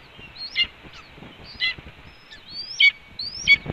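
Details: Female red-tailed hawk on a nest ledge, calling to announce her return to the nest: repeated high, thin, rising-then-dropping squeals about once a second with soft background noise.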